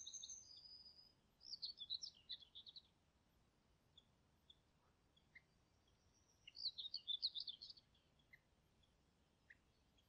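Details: Common kingfisher recorded in Poland's Niepołomice Forest in July 2020: a thin high whistle opens, followed by two separate bursts of fast, squeaky, high-pitched chattering with quiet stretches between.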